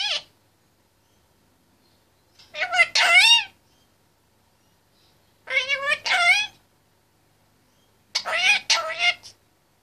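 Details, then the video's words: Caged 25-month-old male Indian ringneck parakeet talking and singing: three separate bursts of wavering, harmonic speech-like chatter about three seconds apart, each lasting roughly a second, with silence between. "Indy 25mths old is quite a chatterbox in his cage"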